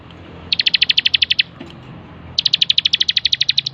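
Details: Training master of a bar-winged prinia singing: two long, evenly paced runs of loud, piercing high ticks, around fifteen notes each, split by a brief gap.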